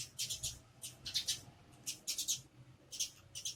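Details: Sparrows making noise while searching for food: quick bursts of bright, high chirps and tweets, several notes clustered together, returning roughly every half second to second, over a faint low hum.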